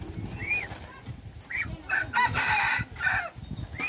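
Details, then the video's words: Domestic chicken and red junglefowl hybrid rooster kept as a decoy, 10 January 2021: a rough crow over a busy background, mixed with arched chirps and a low rumbling noise. "Qaib Dib Txuam Qaib Qus Tom 3 Zoo Nraug Qua Zoo heev"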